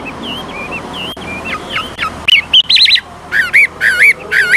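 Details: Old wild-caught Chinese hwamei singing varied, constantly shifting phrases, used to stimulate newly caught birds to sing: faint warbled whistles at first, then loud, clear, looping whistled notes in quick bursts.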